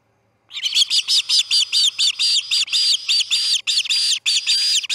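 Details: Osprey chick fledging from the Charlo osprey nest on August 10, 2018, at 6:03 am: a quick run of sharp, whistled chirps, about two to three per second, starting after half a second of silence and continuing steadily.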